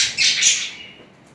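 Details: Two budgerigars during mating and romantic courtship. A short, bright, buzzy chirp rises and then falls away over about a second, in a quiet room.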